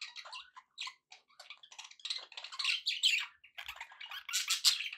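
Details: Happy chatter from pet budgies: busy, jumbled warbling with rapid chirps and squeaky notes, louder and denser in the second half.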